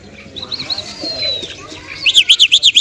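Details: Lark, called lunda or Afghani jal locally, Mashadi type, from Parachinar, singing softly with faint looping whistles and a drawn-out thin note, then ending with about six loud rhythmic zigzag notes in quick succession.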